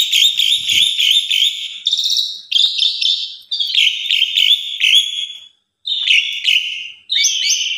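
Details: Bold, pumping Asian pied starling song used to provoke other starlings into singing: warbled phrases around one pitch repeat with rattling trills, break off for a short silence, then resume with rising whistles.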